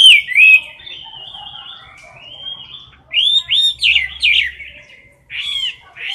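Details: Caged Chinese hwamei, a favourite bird filmed close to the cage bars, singing in competition style: loud, clear whistled phrases, sliding and looping, with bursts of rapid warbled notes and short pauses between phrases.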